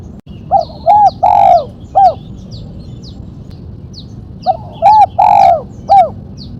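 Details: For luring and training, a spotted dove in 'mercik kuk 1' style: two strong low cooing phrases of short, doubled, long slurred and closing notes, while small birds add faint thin high chirps throughout.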